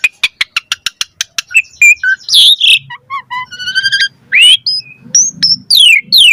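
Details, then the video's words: Lure song of an Asian pied starling, sung persistently: a quick run of dry clicks, then harsh squawks, buzzy stacked tones, and rising and falling whistles in a rich, varied medley. "Pancingan Jalak Suren Gacor Auto NYAUT Cepat MOMPA"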